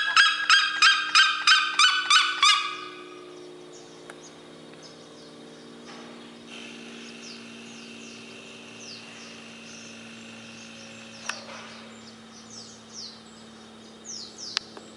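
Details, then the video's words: A red-legged seriema gives a loud, fast run of about nine harsh yelping notes, roughly three per second, then stops, leaving a quiet background with faint distant chirps. "Quem não tem Galo vai de siriema"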